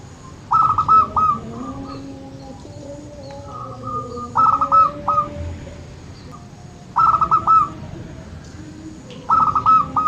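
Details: Local zebra dove cooing to prompt birds that rarely sing: four bursts of rapid, staccato coo notes spaced about two to three seconds apart, with soft lower coos and murmur in the background.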